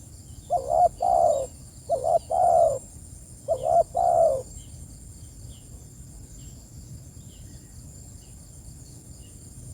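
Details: Three quick two-part coo phrases from a spotted dove calling its companions, given close together, then several seconds of quiet. Faint chirps and a steady high hiss are heard in the background.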